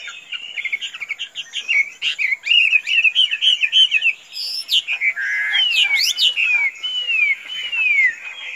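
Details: Free-roaming tame Chinese hwamei sings a quick chattering warble, then clear downward-sliding whistles near the end, with occasional sharp clicks.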